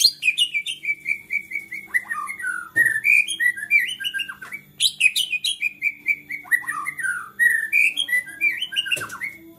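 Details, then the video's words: White-rumped shama in agitated, provoking song: dense, continuous flow of whistled phrases, falling slurs, rapid trills and piercing high notes, with scarcely any pause. "MURAI GACOR NGAMUK BISA MEMANCING MURAI LAINNYA JADI GACOR"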